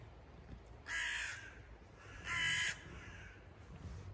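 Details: Two loud, harsh caws about a second and a half apart from a parent crow, excited and circling after its young one fell from the nest at a house threshold.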